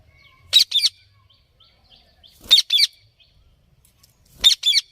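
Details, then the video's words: Parrot repeating a sharp double squawk three times, roughly every two seconds, with quiet between each pair. "Parrot Making Noises"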